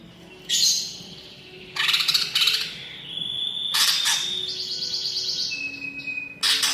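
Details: Greater green leafbird singing hard with imitations of other birds: bursts of buzzy chatter alternating with long flat whistles and a lower steady whistled tone.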